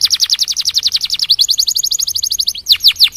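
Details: Canary singing to spur other canaries into song, a rapid rolling trill of short repeated notes that briefly changes tempo and ends with a few louder separate notes.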